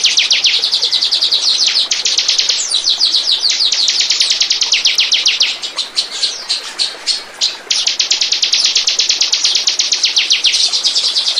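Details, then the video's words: Lure recording of bar-winged prinia song to attract birds: a long, dense stream of high, rapid repeated notes with a few varied phrases and brief breaks in the middle. "Burung. burung ciblek pancingan burung lepas"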